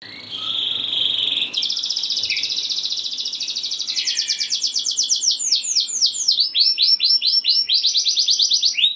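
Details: Canary singing vigorously with 'ngeroll' rolling trills and 'nembak' high shots, meant to provoke other canaries to sing; a steady high whistle for over a second gives way to a fast rolling trill, then a string of quick downslurred notes.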